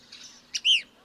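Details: A Cassin's kingbird in its Oaxaca, Mexico winter range gives a kibir call, a sharp clipped 'ki' then a loud, burry, down-slurred 'beer'. It calls among dozens of others over maize fields and wild sunflowers as evening nears sunset, over faint hiss.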